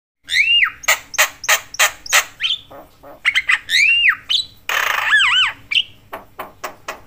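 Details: Javan myna, a lively talkative bird whose calls are said to provoke other mynas: harsh broadband squawks repeated about three per second, mixed with whistled rising-falling notes and a buzzy rasp.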